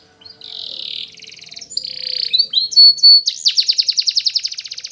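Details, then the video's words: Spanish Timbrado canary singing a training song: a long buzzy trill, then sliding whistled notes and a fast metallic rattle of rapid repeated notes near the end. "Training Canaries To Sing Diligently"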